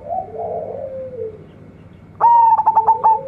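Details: Local zebra dove chick of lure stock. Soft low warbling murmurs come first, then a loud run of quick stuttering coo notes that settles into a level sustained tone.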